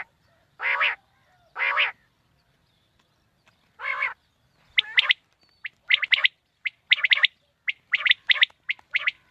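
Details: Quail call for morning hunting: two, then one, longer nasal harmonic calls, followed by a fast series of sharp, clipped triple notes roughly every half second, with no other clear sounds.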